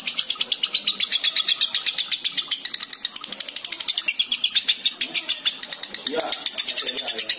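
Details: Lovebird in breeding condition giving the long ngekek chatter, used as a lure recording for males and females: high, shrill, rapid pulses run almost eight per second without a break for over seven seconds.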